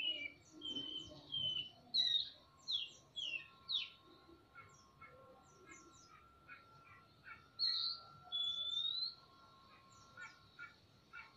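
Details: Oriental magpie-robins, male and female, answering each other in a semi-natural aviary, singing actively with tail spread; loud clear whistled phrases, some rising and slurred, alternating with quieter rapid chirps and twittering notes in bursts over a steady background hum.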